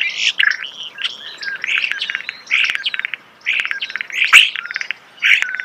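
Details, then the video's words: Starling singing close up in natural surroundings: a busy jumble of chattering, clicking and whistled phrases in short bursts with brief pauses, including rattling trills and a sharp squeak near the end. "The song of the starling"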